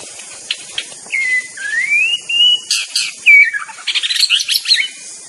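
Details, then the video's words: White-rumped shama in the wild, singing long clear whistles that slide and rise near the middle, then bursts of fast sharp chirps and trills, over a steady high insect hiss. "TERAPI BURUNG MURAI DI ALAM LIAR"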